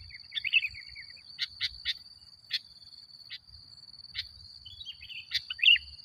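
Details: Sooty-headed bulbul lure song to make other bulbuls agitated: a liquid warbled phrase, a series of sharp clicks, then another bubbly burst at the end over a continuous high whine.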